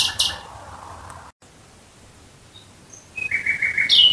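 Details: Nightingale song at night near Dresden: the end of one rasping phrase, about two seconds of quiet, then a new phrase that opens with a thin whistle and runs into a harsh, rising trill.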